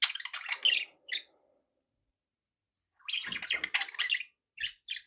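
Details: Budgerigars give quick scratchy chirps and a short warbled burst, then silence for nearly two seconds before a longer chattering run and two brief chirps.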